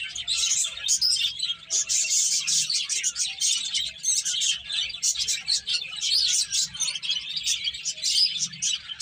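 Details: Finches eating and playing keep up lively high-pitched chirping, with short tweets tumbling over one another in pulsing bursts and brief gaps, over a faint low hum.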